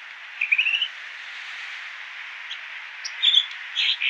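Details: American dipper, aka water ouzel, with a quick rising trill of chirps, a pause, then loud, full, high notes in clusters near the end, steady rushing noise throughout; road noise reduced.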